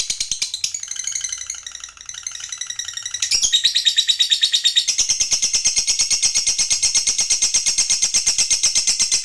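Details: Lovebird ngekek panjang, a drawn-out high trill; starts with a few varied chirpy notes, then settles into a steady rapid stream of sharp repeated pulses lasting several seconds.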